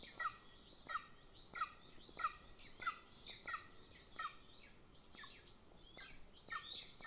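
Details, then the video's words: Golden Eagle nest near the Central Training Field, Estonia, where the little chick begs while its older sibling is fed by the female; insistent high falling squeaks repeat about every 0.65 seconds, with a brief break near the end. "LIL CHICK BEGS WHILE ELDER IS FED"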